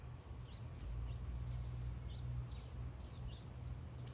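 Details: Birds in a backyard giving thin, high chirps repeated rapidly and irregularly, several a second, over a loud, steady low hum.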